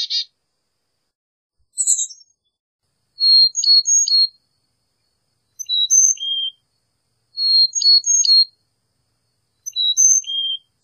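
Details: Carolina chickadee repeating a whistled phrase of high and lower notes roughly every two seconds, after an opening buzzy call; the background stays quiet.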